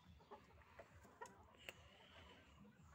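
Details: Rooster and chickens during the morning rush: soft, short clucks spaced about half a second apart, faint against a steady low background rumble.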